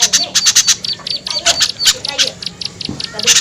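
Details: Calling to attract small birds: scattered bursts of thin high chips mixed with brief squeaky twitters, uneven in rhythm, with a low steady hum in the background.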